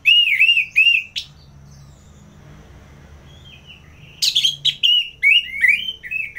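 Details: Ngeplong singing from an orange-headed thrush: two looping whistled phrases, a quiet gap of about three seconds, then a sharp note and a string of fluty, sliding whistles.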